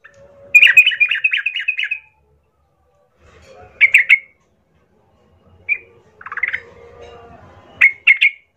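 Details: Lure song of a sooty-headed bulbul meant to make rivals respond and fight: a fast rattling trill of about eight notes, then silence broken by a few scattered sharp chirps and a closing double note.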